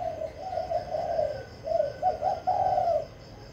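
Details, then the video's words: Kích bổi song of a kept spotted dove, Vĩnh Long, Vietnam. Mellow, slightly rough cooing notes, a long stuttering phrase followed by three swelling coos, over faint distant chirping. "Cu gáy kích bổi mau nổi"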